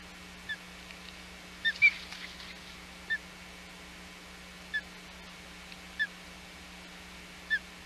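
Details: Osprey calling around a fish brought to the chick at the Hog Island nest, June 2020; brief high whistled chirps, a close pair near two seconds then single notes every second or so, against constant low hum.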